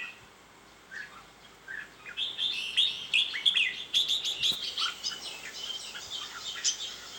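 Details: Red-whiskered bulbul song: a busy, chattering stream of rapid high chirps and whistled notes building after a quiet start, with clicking sounds mixed in.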